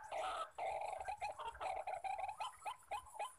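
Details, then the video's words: Wild white-breasted waterhens, known locally as ruak-ruak, with males calling all around during bird trapping with a decoy: a run of short, harsh, nasal notes repeated quickly in uneven bursts, each dipping slightly in pitch. "burung Ruak Ruak"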